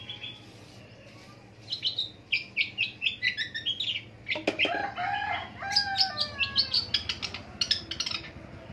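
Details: Morning calls of a long-tailed shrike: after a quiet start comes a run of scratchy chattering notes, then mixed harsh chips and brief whistled slurs, with a low background hum.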